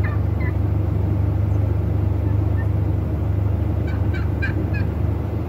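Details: A wild turkey during its breeding display gives a quick, rattling gobble near the end, after a few faint higher notes at the start, over a steady low rumble of wind or traffic.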